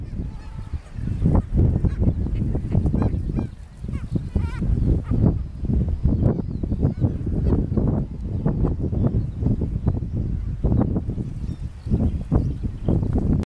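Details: Black-legged kittiwakes (Rissa tridactyla) calling at a seabird colony, Bempton Cliffs, Yorkshire, 10 May 2012: harsh, nasal, honking cries over heavy wind rumble.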